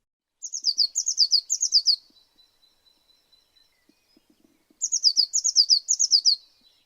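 Blue tit: two bursts of very high, thin notes in quick falling groups, a brisk trill about four seconds apart. No other sounds.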